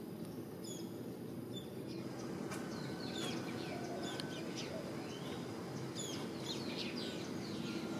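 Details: Social flycatcher morning song: short, sharp high notes and brief rising and falling strokes, uneven in spacing, start about two and a half seconds in and continue over a steady low rumble.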